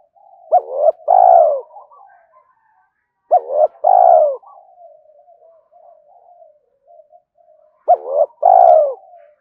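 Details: Spotted dove cooing to stimulate other doves: three phrases spaced about three seconds apart, each of short hooting coos and a longer tremulous falling coo, with soft murmuring between.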